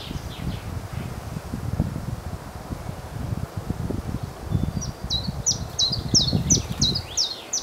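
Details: Chiffchaff song from a tree in strong wind: after several seconds of gusty roaring, a quick series of short, high, evenly repeated notes breaks through the buffeting wind and leaf noise.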